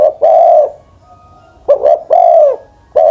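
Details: Old spotted dove, a decoy bird over ten years of age, cooing: low, mellow hooted notes, one long coo, then a quick stuttered pair and another drawn-out coo, with a further note starting at the end.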